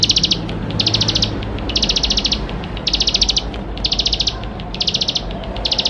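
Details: Full, chattering bar-winged prinia song with fill-in phrases, meant to get young prinias singing quickly: regular high-pitched rapid rattles of about eight notes, one roughly every 0.9 seconds, clear over faint background noise.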